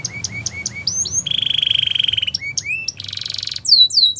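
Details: Russian canary in song for training, giving short upward-slurred chirps, then a steady rapid buzzy roll, a dense rattling trill and bright descending whistled notes over faint low background rumble.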